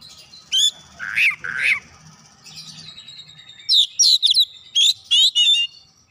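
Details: Oriental magpie-robin (kacer) singing vigorously as a lure for other kacer, showing off its learned repertoire: two harsh rasping notes, then a quick series of sharp, high, rising and falling whistled notes in bursts over a quiet background.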